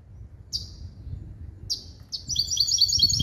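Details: Hybrid bird from a male European goldfinch and a female canary, singing clean limpio-style: two short sharp high calls spaced apart, then a rapid ringing trill of repeated notes at the end.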